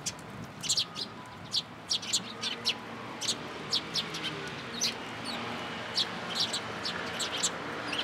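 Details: Sparrows gathering in a cherry tree at a Tenmangu shrine on 22 March 2023: short, high chirps in quick clusters, scattered irregularly across several seconds over a steady outdoor background hum.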